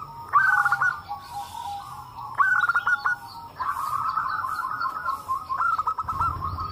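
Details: Several local zebra doves in a loud answering chorus, used to prompt other doves to call. Rapid stuttered notes lead into long rolling coo phrases, repeated in waves, with a low rumble near the end.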